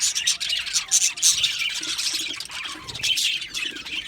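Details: Happy budgerigars chirping together in an aviary: busy overlapping high twitters and buzzy warbles, a few sharp whistled notes standing out near the start, steady chatter throughout.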